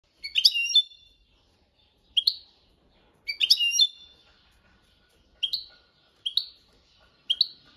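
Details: European goldfinch singing the copia malaga training song: bright twittering phrases with liquid trills, in bursts of under a second separated by short pauses, some richer and some short single chirps.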